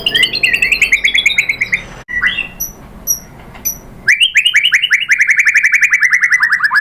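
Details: White-rumped shama song for luring a bird into answering, rapid rattling trills of rising notes, a pause with a few thin high pips, then a fast even trill over three seconds.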